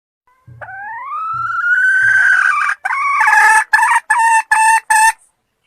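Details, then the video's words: Cackle of a red junglefowl hen: a drawn-out note sliding gradually upward, followed by four or five loud, choppy clucks. Three soft low thumps sound early on. "Malupit na kakak ng inahing labuyo | Powerful sounds of forest hen chicken"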